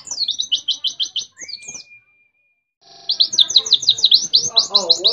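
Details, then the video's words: White-eye from Mount Ciremai, West Java, singing in canary-imitating style: rapid buzzy trilled notes repeated about three per second, a long steady thin whistle, a short pause, then another fast high trill. "Pleci Nembak Kenarian"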